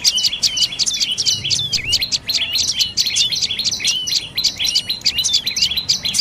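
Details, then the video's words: Rapid, insistent chirping from a dark-necked tailorbird: thin high notes crowded closely together, some swooping down sharply, forming an almost continuous rattling run; quiet low background hum. "เสียงนกกระจิบคอดำDark necked Tailorbird Sounds"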